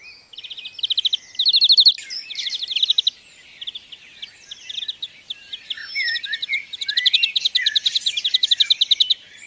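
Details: European greenfinch (Chloris chloris) recorded in the wild sings rapid, bright trills in short bursts of about half a second, mixed with twittering notes; the bursts quicken and run together toward the end.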